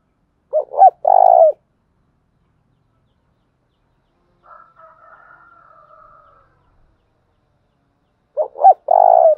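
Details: Spotted dove cooing energetically to lure wild doves. It gives two matching phrases, each a pair of short rising coos followed by a longer, steady coo, about eight seconds apart, with a faint thin humming tone between them.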